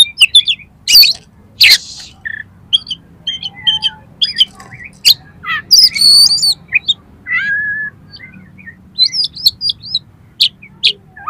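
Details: Oriental magpie-robin song used for training competition birds: a busy mix of sharp chirps, harsh squawky bursts and sliding whistles, delivered in quick irregular phrases.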